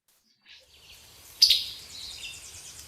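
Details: Male Summer Tanager gives a single sharp, high chip note, its introductory call before a melodious song, with a faint hiss of background noise around it.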